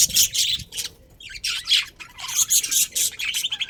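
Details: Colony budgerigars kept as a breeding pair, giving broken bursts of high twittering and harsh squeaks, several birds calling over one another.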